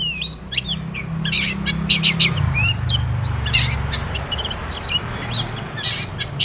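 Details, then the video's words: Long-tailed shrike in full mimicry-filled song including tomiceng notes, meant to make other shrikes sing. A busy, harsh jumble of chattering bursts, chips and short whistles over a steady low drone. "SUARA cendet gacor full isian TOMICENG pancingan cendet agar bunyi"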